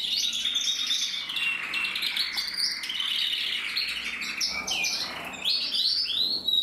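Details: Male red-black mosaic canary from a breeding aviary, 2024; continuous rapid high warbling song of rolling trills and quick chirping notes with brief shifts between tours, steady and unbroken.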